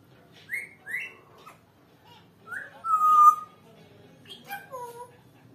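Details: Talking pet African grey parrot whistling: a few short rising chirps, then a long clear steady whistle, then two lower, slurred whistled notes near the end.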